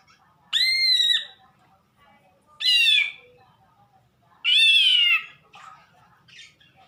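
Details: Three loud, drawn-out nasal notes from a greater green leafbird making a strange sound, each about a second long and rich in harmonics, spaced roughly two seconds apart.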